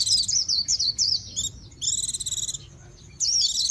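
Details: Japanese white-eye mixing high, tumbling whistled notes with a fast, buzzy, rattling trill, then a final twittering phrase.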